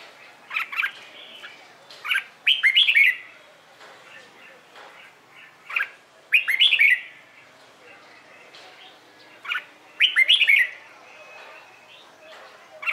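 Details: Red-whiskered bulbul singing in the morning, a competition-training recording: short bright whistled phrases of rapid warbling notes around 2–4k, bursts repeated roughly every four seconds with quiet pauses and faint chirps between.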